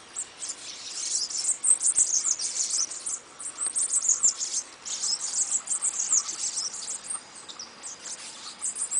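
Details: Bananaquit singing in quick, squeaky, high-pitched bursts of tinkling and buzzing notes, phrases running together over a faint steady background hiss.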